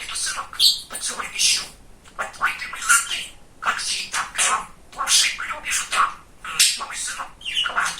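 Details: Pet male budgie, described as very talkative and funny, rattling off a steady run of hoarse, speech-like syllables and occasional thin whistles, roughly every second or faster.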